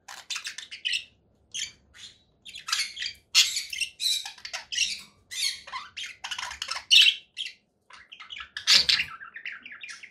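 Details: Conure parakeet calls: short, rasping squawks and chirps repeated in quick uneven bursts, some high and scratchy, with brief pauses between groups.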